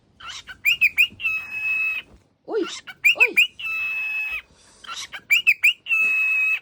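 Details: Pet cockatiel on waking repeats chirp-and-screech phrases three times, quick rising notes then long buzzy tones, with lower sliding vocal sounds in between.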